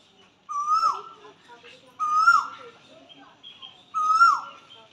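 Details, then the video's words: Asian koel in a peepal or banyan tree next to a temple, spring, April 2025, recorded on camera: three clear, upslurred whistles that drop sharply at the end, repeated roughly every 1.7 seconds, with soft background chirping. "বন্ধুরা এতক্ষণ কোকিলের আওয়াজ শুনছিলে এর মিষ্টি মধুর আওয়াজ বসন্তকালে কোকিল সুন্দর করে ডাকে ততক্ষণ ক্যামেরা বন্দী করছিলাম"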